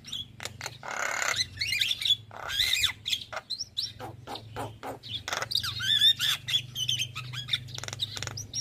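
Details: Javan myna (jalak kebo, white-eyed) singing in a lure track for reluctant birds: a long jumble of raspy bursts, clicks and piercing whistles, with a steady low hum throughout.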